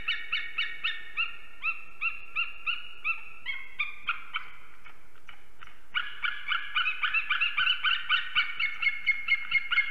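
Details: Two unringed eagles at a Latvian nest in Ķemeri, 6 am, 8 March 2024, calling during arrival and mating. Spaced yelping notes break off briefly, then return quicker and denser.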